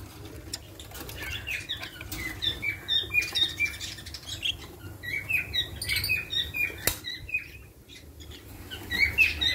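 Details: Several budgerigars in breeding pairs chatter in quick, high chirps and warbles, with occasional wing flutters.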